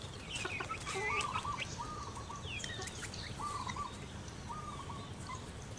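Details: A local female zebra dove calls to its partner in a run of four short, bubbling coo phrases. Busy chirping and whistles from other birds mix in, with a constant low hum behind.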